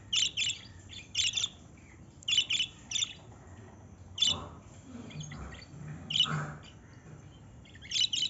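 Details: Lovebirds giving sharp, high squeaky chirps, mostly in quick pairs, about every second, with softer low murmuring mid-way and a faint low hum throughout.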